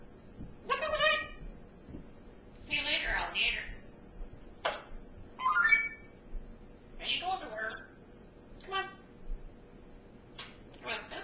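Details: Captive African grey parrot babbling in a quiet room, a run of speech-like chattering phrases, squeaks and a short whistle, spaced every second or so in an uneven sequence.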